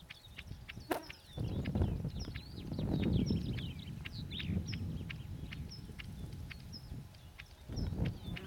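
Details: Bluethroat singing by the Kudma River near Zelyony Gorod, Kstovo district, Nizhny Novgorod region, 4 June 2014: rapid series of short, sharp, high ticking and whistled notes over heavy low rumbling wind or handling noise.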